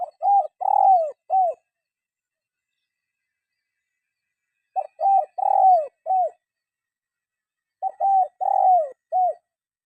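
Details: Spotted dove calling for use as a singing tutor for caged birds: three steady cooing phrases about three seconds apart, each a short lead note, paired coos, a long falling coo and a closing note, in quiet surroundings.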